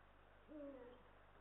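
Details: Eurasian eagle-owl pair at the nest in Estonia, male and female, on a live nest camera in March 2022; one deep, smooth hoot lasting under half a second that sinks at its end, over quiet hiss.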